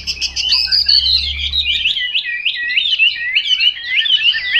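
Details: Chinese hwamei singing a fast, continuous run of varied whistled and slurred phrases, notes sweeping up and down in a high register with barely a pause, with a faint low hum in the background during the first two seconds.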